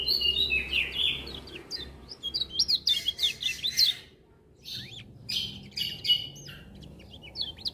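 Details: Vigorously singing kecial kuning (lemon-bellied white-eye) with other birds joining: a continuous chain of rapid high slurred whistles for four seconds, a short quiet gap, then further scattered sharp chirps and twitters.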